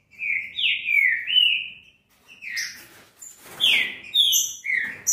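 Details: Green-winged saltator song used to warm up a caged bird and make it sing: strong whistled phrases with a falling slur, then a level note, then a pause and further rising and falling whistles.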